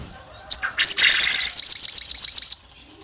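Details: Female olive-backed tailorbird calling the male, said to provoke rival males: one sharp high note, then a two-second run of fast, evenly spaced, piercing chips, loud and clear against a quiet background.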